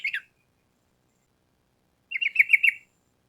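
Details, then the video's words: Sooty-headed bulbul in lively song: a short clipped note cluster, then after a pause one rapid run of about seven bright, bouncy warbled notes. "Pancingan Trucukan Gacor Ampuh Untuk Masteran Burung Trucuk Supaya Cepat Nyaut Bunyi Ropel Panjang"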